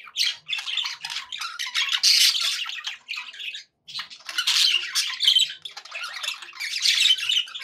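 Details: Pet budgies making happy sounds inside a small room: rapid raspy chatter in loud bursts lasting a few seconds, separated by brief gaps, with harsh squawks mixed into the stream.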